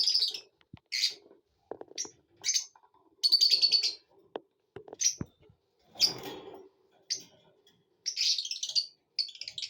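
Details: Lovebirds in happy mood chatter steadily with shrill, high-pitched chirps and squeaks in quick irregular bursts, mixed with soft clicking and rustling sounds.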